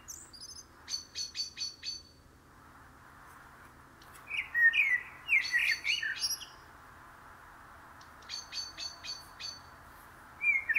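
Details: Blackbird song: a rich, mellow warble in the middle of the clip, set among rapid runs of thin, high, repeated chips from a second songbird.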